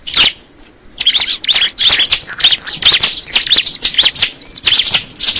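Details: Crystal ciblek (bar-winged prinia) starts with one chirp, pauses, then launches fast repeated high whistled chirps, roughly three each second, steady to the end.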